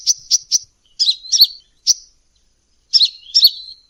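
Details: Bird-luring sound of a sunbird in full voice: a triple burst of sharp high ticks, paired slurred squeaks, one lone chirp, a pause, then two more twittering double notes.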